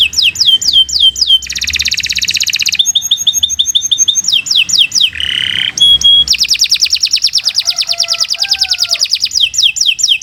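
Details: Canary giving a long varied song for training other birds: downslurred whistles, dense buzzy rolls, chattering tours, a low churr and fast trills, loud and nearly continuous throughout.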